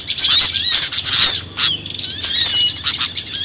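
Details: Lure recording of small birds with thick high twittering and buzzy chirps, a few slurred whistles in between, and a faint low hum beneath.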